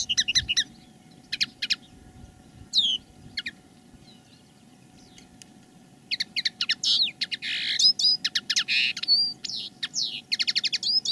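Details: Common linnet decoy birds singing live in captivity: high twittering bursts of rapid clicks and trills, sparse at first, then a dense fluent run of chattering notes and clear whistles, over a steady low hum.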